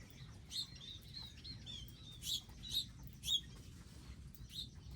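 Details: Garden feeder birds with seeds and water nearby: a handful of loud, sharp high chirps with softer trilling twitters between them, spaced irregularly.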